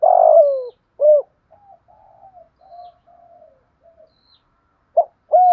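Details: Spotted dove cooing in the giong tho voice style to challenge a rival male; a loud descending coo and an arched note, soft low murmurs, then a short stutter and another coo.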